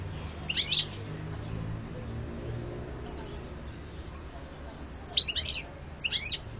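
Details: European goldfinch giving scattered bursts of high, tinkling twitters, separated by pauses of a second or more, over a low background hum.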